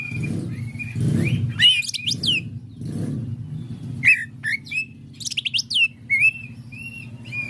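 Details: Greater green leafbird at a song practice event, delivering clear whistled notes, fast tumbling trills and quick downslurred chirps in a lively sequence, with low rumbling noise early on and a persistent hum throughout.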